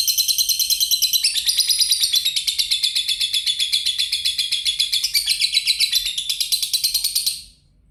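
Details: Lovebird singing in the ngetik style joined to ngekek; rapid, very high, metallic chattering trill of closely repeated notes lasting about seven seconds, briefly shifting higher, then stopping abruptly.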